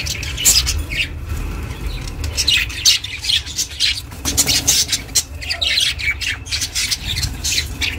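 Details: Pet budgerigar chirping for lonely budgies; rapid bursts of high, scratchy chatter and sharp clicks packed closely together, continuing throughout over a soft low hum.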